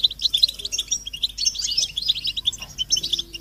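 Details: European goldfinches chorus in a collective twitter of mating and readiness calls, played to push silent males into singing; crowded, sparkling high chips and short trills tumble over one another without a break.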